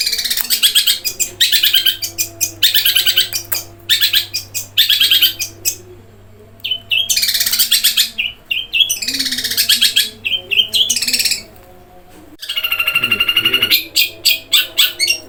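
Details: Long-tailed shrike in energetic 'gereja kuntilanak' roll speed tembak song: long volleys of grating, rasping notes separated by short pauses, a whistled note at the end of some runs, steady hum underneath.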